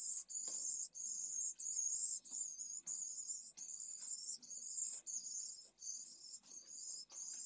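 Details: Pallid swift at a breeding colony in a school building in Jerez de la Frontera, Spain, during heat above 45ºC. Harsh, buzzy, high-pitched bursts of about half a second, repeated in a steady run with short gaps and faint low background noise.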